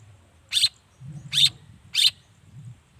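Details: Long-tailed shrike calling actively, used to provoke other shrikes into answering; three short, harsh, raspy bursts about 0.7 seconds apart, with a low rumble in the background.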